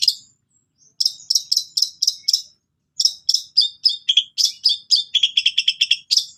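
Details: Long-tailed shrike singing energetically, its song filled with mimicked cililin and sparrow phrases; bursts of high, buzzy chattering notes repeated about four per second, broken by a short pause, then faster varied chips.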